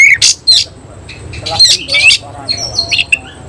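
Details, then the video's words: Oriental magpie-robin with tail spread, of semi-Cililin style, singing hard: a loud whistled note, harsh squawky chips and chattering, then high thin whistles and a rising squeak. "Kacer langsung NEMBAK NGOBRA BUKA EKOR || KACER SEMI CILILIN"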